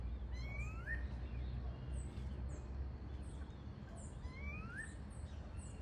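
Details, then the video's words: Wild Variable oriole singing in natural surroundings, repeating a phrase of upward-gliding whistles twice, while other birds add high chirps and a low droning background continues throughout. "Pássaro Encontro (Xexéu de Bananeira) na natureza + som de pássaros cantando"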